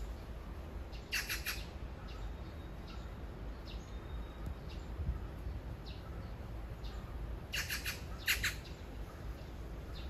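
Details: Magpies courting: a magpie gives two bursts of harsh, rattling chatter, one near the start and one near the end, calling to a mate a few metres away, over a low outdoor rumble with faint distant chirps.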